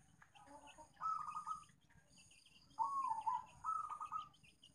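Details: Zebra dove lure call for coaxing quiet doves into calling: rolling, bubbling coo phrases, the second one dipping then rising, over steady background hiss with faint high chirps.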